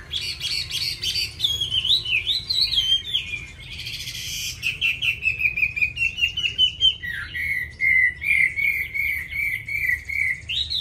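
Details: A hwamei's fast, many-voiced song: squeaky, twisting notes give way to a run of rapid, descending slurred whistles, then a steady series of clear, similar phrases repeated almost twice a second.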